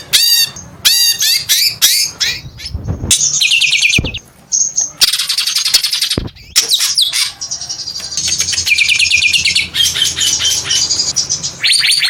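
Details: Long squawking song of the greater green leafbird (cucak ijo): repeated bursts of rising whistles, harsh ringing notes and sharp clicks separated by short gaps.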